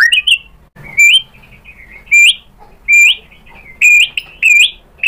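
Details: White-rumped shama, provoked into replying, repeats short rising whistled phrases about once a second with quiet gaps between.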